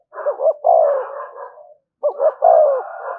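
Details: Spotted dove in the "thúc gù" cooing style, used to lure wild doves: two phrases, each of quick stuttering low notes leading into a longer, drawn-out descending coo, with a short silence between.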